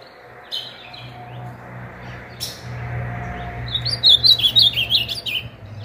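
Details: A nine-month-old young male ultramarine grosbeak, singing strongly in the morning, gives a short burst of rapid, high warbled notes near the end, preceded by faint chirps over a low hum.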